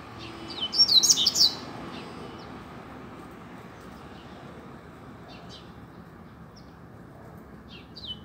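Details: Loose double-collared seedeater showing off on a street: one loud, high, jumbled twittering phrase of about half a second, followed by faint scattered chips amid steady low background rumble.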